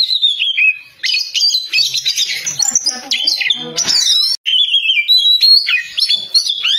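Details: Oriental magpie-robin singing loudly and continuously: dense mix of whistles, harsh scratchy chatter and rapid mimicked-sounding notes, with a brief silent gap midway before clear whistled phrases resume.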